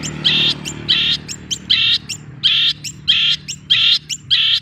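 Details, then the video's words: Young long-tailed shrike giving harsh, buzzy chattering bursts alternating with quick high chips, repeated roughly every half second, with a low steady hum in the background. "Burung Cendet || Muda dan Berkarakter"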